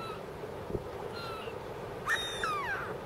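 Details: Northern lapwing at the Western Yar Estuary, Isle of Wight, among flocks of Mediterranean and black-headed gulls: faint thin whistles early, then a louder wheezy slurred note that rises then falls, over steady estuary background noise.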